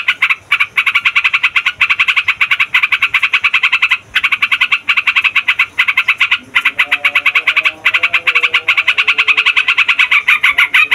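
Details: A long, unbroken chatter from a yellow-vented bulbul in gacor 'ngeroll' rolling song, used as a trapping lure. Dense rapid notes run for seconds with few gaps, and softer warbling notes appear low in the background midway.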